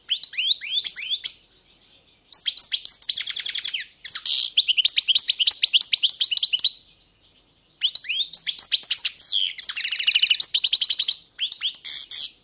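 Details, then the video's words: Long, lively European goldfinch song in several bursts: sliding twitters, nasal buzzy trills and tinkling chatter, separated by brief silences. "Pesma štiglića"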